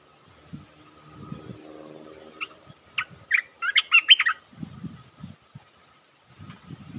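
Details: Bulbul call played to lure birds into a trap: a few spaced chirps, then a tight cluster of rich, gurgling, warbled notes mid-clip. Low thumps and rustles come before and after.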